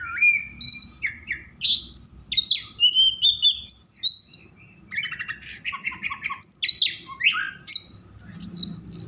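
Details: Oriental magpie-robin in an excitable mood, singing to make other magpie-robins respond: long varied run of whistles, sweeps, buzzy trills and mimicking chatter, nearly unbroken.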